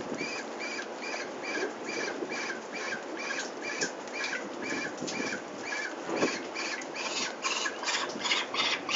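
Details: Peregrine falcons at Venlo, Netherlands, on 21 May 2024, while the chicks are fetched for ringing; harsh, grating calls repeat about twice a second over steady background noise and patter.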